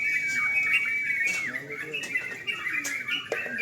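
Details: A night singing contest of sooty-headed bulbuls opens with a sustained, clear whistle that drops away, followed by scattered bright chirps and chatters over quiet background voices.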